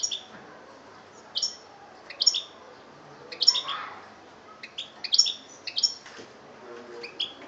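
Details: European goldfinch recorded in Algeria in 2013, delivering clipped, high twittering phrases and sharp chirps in irregular bursts, with a brief lower rasp midway.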